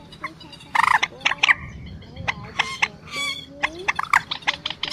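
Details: Lure recording of quốc biển and trích ré, two birds calling, for night net trapping of migrants in March 2024: loud harsh squawking bursts, clipped staccato notes and smooth gliding whistles in quick irregular succession.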